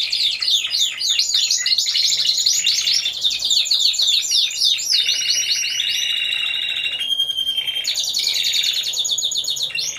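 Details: Competition team of four Timbrado Español canaries, November 2015: fast choppy trills shift into long even bell-like rolls and sustained flat tones at differing pitches.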